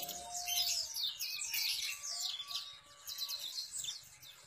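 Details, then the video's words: Enggano white-eye in vigorous gacor song, slightly quieter here. Fast strings of high, scratchy twitters and chirps run without a break and fade a little toward the end. Light background hum. "burung pleci enggano gacor"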